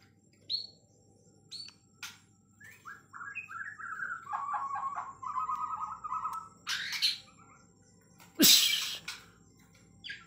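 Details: White-rumped shama from Kalimantan, Borneo, in long singing: scattered sharp notes, then a run of short whistled phrases stepping down into a sustained warbling trill, broken by loud broadband clatter and knocks.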